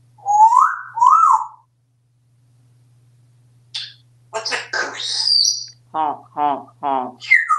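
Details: Pet male African Grey parrot at home in Texas, in a happy, chatty mood, makes two rising whistled syllables, then after a pause a burst of speech-like chatter and short clipped syllables, with a person's voice nearby and a steady hum.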